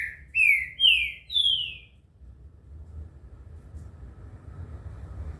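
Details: Green-winged saltator (trinca-ferro) giving a desaforo-style song: three loud, clear whistled notes, each slurring downward, about half a second apart, followed by a low steady rumble of background hum.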